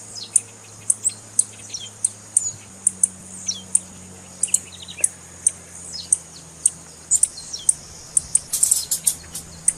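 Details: Female blue-black grassquit call used to warm up a male for singing tournaments. Rapid series of very high, sharp chirps roughly every half second, mixed with short downslurred notes, ending in a dense burst of chirping; faint low hum.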